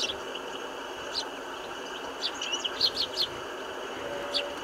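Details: House sparrows in winter, a group eating food put out for them, filmed on a Canon 5D Mark III: scattered short high chirps, some in quick clusters, over a steady broad hiss of background noise.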